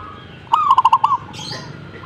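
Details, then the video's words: Zebra dove answering: one crisp phrase of a rising lead note and four quick rolling coo pulses ending in a slurred tail, followed by a soft high chirp. "suhu perkutut jika nyaut"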